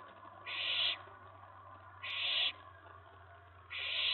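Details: Nest-box owlet calling around 10:54 PM on May 19 2017 as another owl lands on the tray; three short, harsh hissing screeches spaced about one and a half seconds apart, with a low hum underneath.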